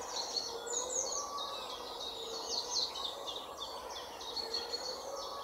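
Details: European pied flycatcher male and female giving high, thin, rapid chirping phrases in short bursts over steady background hiss.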